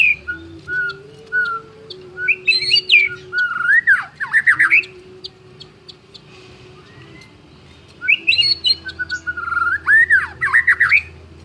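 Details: White-rumped shama, called a champion full-voiced songster, sings two animated bursts of varied whistles, sweeping slurs and rapid trills, separated by a quiet stretch, over a persistent low hum.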